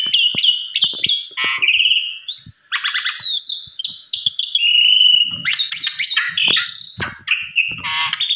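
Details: Javan pied starling, known locally as jalak suren, in energetic lure song said to get an instant reply: rapid sequence of whistles, chattering bursts and sustained high buzzy notes, with short clicks throughout.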